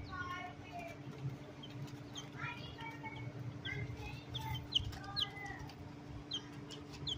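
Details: Newborn chicken chicks peeping: many thin, high, downward-sliding peeps repeated irregularly by several chicks, over a steady low electrical hum.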